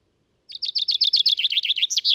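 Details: Loud, clear song of a British common chaffinch, captured with a Telinga Stereo Mk 3 and MixPre 6 II: rapid string of bright notes tumbling downward in pitch, rising into a short final flourish near the end.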